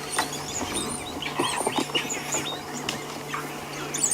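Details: Wattled starlings, unseen in a tree above a small buffalo herd on an African sunset drive, possibly at a nest, chatter in a dense jumble of squeaky, wheezy chirps and rising whistles, a bizarre mammal-like noise, over a low engine hum.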